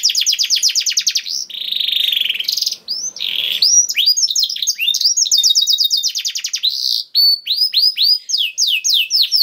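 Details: Energetic canary 'gacor' song with 'cengkok istimewa' phrasing: bright rapid trills of falling notes, a couple of slurred buzzy passages, then separate swooping notes in quick succession.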